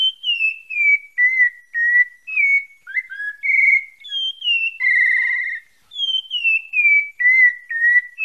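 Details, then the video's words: Bahia Santa Fé pale-breasted thrush singing a long sequence of descending whistles. A held vibrating tone falls mid-song before the falling series repeats again. The clean, pure-toned notes are spaced about half a second apart. "SABIA PARDA DA BAHIA SANTA FÉ"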